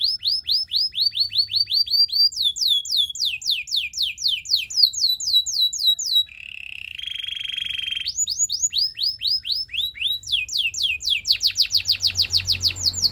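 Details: Trainer Belgian canary singing to coach other canaries, strings of quick downslurred whistled notes, a brief harsh buzzy tour in the middle, then resumed rapid rolling notes with faint low background hum.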